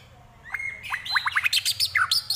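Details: White-rumped shama singing a song filled with imitations of prinia, kapas tembak and eagle calls. A long steady whistle gives way to a rapid series of sharp, downward-sweeping notes and bright, high chirps.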